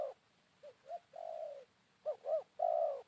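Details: Spotted dove cooing outdoors at midday after rain while a decoy is used to lure wild birds; short hooting notes build into a long, drawn-out coo, then a quick double note leads into another sustained coo, over a steady faint hum.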